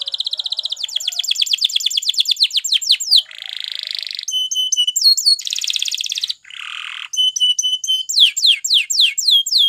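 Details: Spanish Timbrado canary performing a varied training song: fast falling trills, harsh buzzy rolls, clear flat metallic notes and quick descending slurs, switching phrases every second or two.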